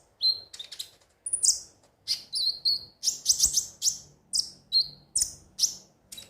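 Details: Konin (kolibri ninja) song played to stimulate other birds to sing daily: rapid bursts of high, sharp chirps and short whistled trills, notes in quick clusters about every half second, with faint low background hum.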